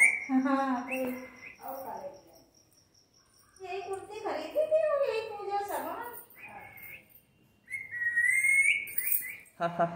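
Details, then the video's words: Pet parrot talking with its owner indoors: a run of nasal, speech-like syllables, a pause, then gliding rising and falling squawky phrases, and a long level whistle near the end, over a faint constant high hum. "बोलने वाला तोता, Talking with parrot, Bolne wala tota, Parrot Natural Sounds Video"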